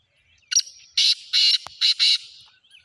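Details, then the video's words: Harsh, grating call of a black francolin: one clipped introductory note, then a rhythmic series of four loud rasping syllables, with a brief click partway through the phrase. "titar sultan voice"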